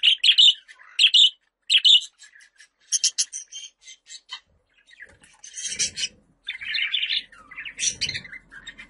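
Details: Pet budgerigar calling sound for attracting budgies, a busy run of quick high chirps and clicks that gives way to longer scratchy warbling phrases.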